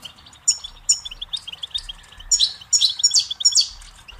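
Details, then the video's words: Goldfinch song, offered as a tape for teaching chicks and songbirds: bright, rapid twittering phrases, tinkling and buzzy notes in quick bursts about every half second, growing louder and denser toward the end. "Birdsong Motivation Let Goldfinches Inspire Your Success"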